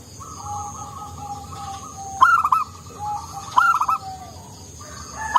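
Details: Local zebra dove, an eager singer with a soft voice, kept as a lure: two loud rippling coo phrases about 1.4 seconds apart, each ending in soft drawn coos, over quieter cooing from other doves.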